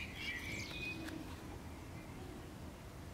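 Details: A Common swift (Apus apus) clinging to a neighbour's wall near a nest box in summer gives thin, high screechy trills in the first second, then fades under a steady low background rumble.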